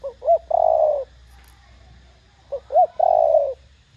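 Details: Spotted Dove calling in a loud, clear "thổ đồng" voice: two short soft notes then a long throaty coo, repeated twice about two and a half seconds apart, with faint low hum behind.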